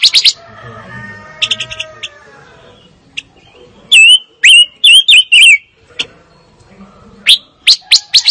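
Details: Fire-tailed myzornis: sharp high chips, then a series of five loud, wavering whistled notes that swoop down and up, followed by quick bright chirps at the end.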